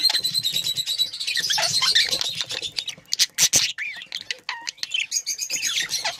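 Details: Budgerigar breeding pair warbling: a steady high buzzy trill gives way to rapid squeaky chirps and sweeping whistled notes, with clicks in between.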